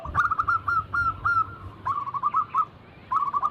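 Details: Perkutut cooing used as a lure for reluctant singers: short trilled coo phrases with a noticeable pause before the last burst, over a hissy, rumbling background.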